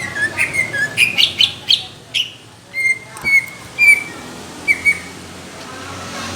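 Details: Greater green leafbird in competition-quality song, rough and thick: a quick series of sharp chirped notes, then slower, spaced clear whistles falling off toward a quiet ending.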